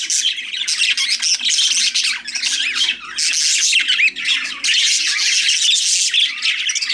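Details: Budgies chattering together in a dense, continuous stream of squawks, chirps and warbles, high and scratchy, with quick rising and falling notes overlapping throughout and a faint low hum beneath.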